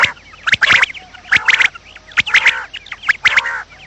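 Common quail giving harsh, clipped bursts of sharp notes, a phrase roughly every second, with a faint hiss behind.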